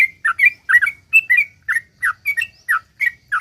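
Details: Sooty-headed bulbul's 'ropel panjang' song, meant to make other bulbuls sing: short bubbly whistled notes, some doubled, falling and rising, spaced about a quarter second apart.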